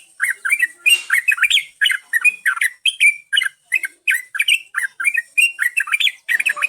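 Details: Yellow-vented bulbul song played as a lure for other birds: lively series of short bubbly, slurred whistled notes, about two to three per second, varying up and down in a steady chattering run.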